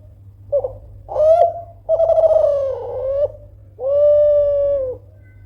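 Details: Loud call of a Kelantan spotted dove meant to make rivals answer: a short low note, a rising coo, a long burred coo that wavers and lifts at the end, then a smooth sustained coo.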